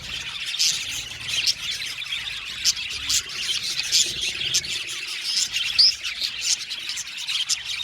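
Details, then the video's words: Blue male budgerigars chirping, pulsing bursts of high scratchy twitter with a brief clear whistled upslur near six seconds. "Budgies chirping sound"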